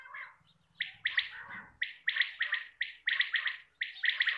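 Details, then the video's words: Quail call used to lure quail for hunting: bright chirpy notes in quick pairs and triplets, repeated about once a second after a few softer, uneven notes, with a faint low rumble near the start. "Batair ki Awaz shikar kliya|Quail sound For shikar"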